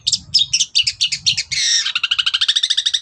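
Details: Long-tailed shrike in morning song, used to provoke replies from other birds: rapid choppy chattering that turns into a fast, even trill of repeated notes.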